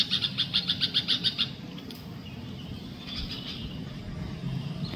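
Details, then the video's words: Bulbuls courting: one gives a quick run of about nine sharp, chirpy notes, then a fainter burst a moment later, over a low background rumble. "Bulbuls in Love"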